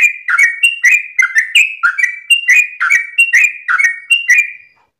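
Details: Sooty-headed bulbul at dawn giving its long 'ropelan' song style: a rapid run of short bubbly whistled phrases, each dropping then jumping back up, repeated about once a second with no other sounds.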